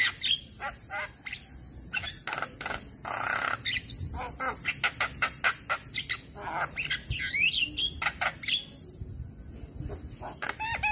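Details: Male Javan myna singing, used as a lure recording to rouse quiet or molting mynas: dense runs of rasping, clicking notes with a few sliding whistles, nearly continuous throughout, with a constant high-pitched insect drone behind.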